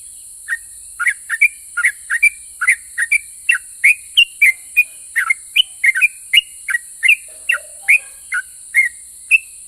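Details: Sooty-headed bulbul in full voice, its song described as drawing answers from other bulbuls: long, fairly even series of bright whistled chirps, about two or three a second, some with a brief low note, over steady hiss.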